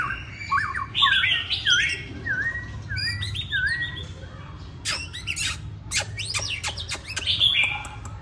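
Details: Tame caged Hwamei in Hanoi, Vietnam, with one white feather and not yet in peak form, sings varied loud whistled phrases with slurred dipping notes, then bursts of sharp clicks and squeaky notes, over low background hum.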